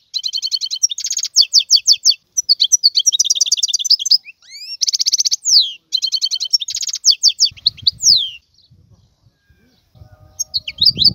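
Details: Wild European goldfinch song: a long, dense run of bright, rapid twitters, fast trilled rattles and downward-sweeping whistles, with a faint low rumble toward the end.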